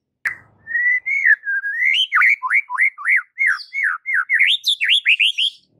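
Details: White-rumped shama (murai batu) training song, or masteran, meant to rouse caged birds: a long sustained whistle, then a fast chain of looping, up-and-down slurred notes building higher toward the end.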